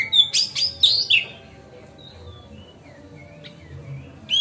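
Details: Magpie-robin song meant to prompt other magpie-robins to spread their tails. It opens with a rapid run of bright whistles and sharp notes, falls quiet with a few faint distant whistles, then resumes with a rising whistle.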